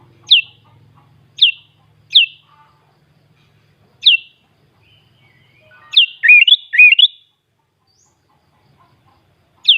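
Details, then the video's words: Sooty-headed bulbul singing 'full isian' in Klaten, Central Java, Indonesia: sharp, high, down-slurred single notes at irregular intervals, broken once by a brief, lively warbled phrase of looping notes. "kUtiLang cindeLaras Bukpar sobek sobek full isian"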